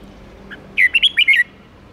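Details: Caged red-whiskered bulbul giving a quick 'ché' phrase to excite rival birds: one tight burst of five rolling, liquid, whistled notes lasting under a second, preceded by a faint soft chirp.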